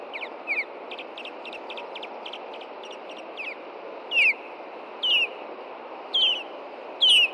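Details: Osprey pair at their Hellgate Canyon nest in Montana, nest camera, after dark on June 2, 2014, alarmed by an intruding juvenile: short whistled notes give way to loud, sharp descending 'kyew' whistles about once a second over steady background hiss.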